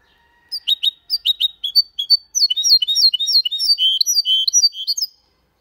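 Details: Goldfinch × canary hybrid singing Malaga-style song without errors: paired sliding chirps building into a rapid continuous twittering run of downward-sweeping high notes lasting about three seconds.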